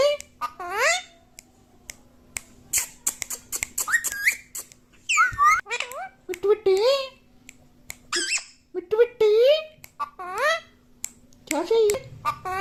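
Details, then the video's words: Talking parrot at home, said to say "Mummy Papa", producing a rapid stream of squeaky speech-like syllables mixed with rising whistles and clicks, continuing for over twelve seconds in a small room. "Mummy Papa bolne wala parrot"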